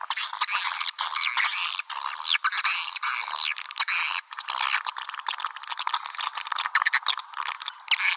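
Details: Swiftlet lure sound: several seconds of loud, shrill, twittering chatter of arching squeaks, then choppier clicking chirps with thin drawn-out whistles toward the end.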